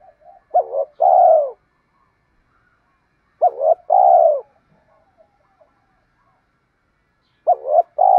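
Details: Spotted dove calls, male and female, played to stimulate birds in training; a short double coo followed by a longer, lower, falling coo, the phrase repeated about every three seconds, with faint quieter coos between.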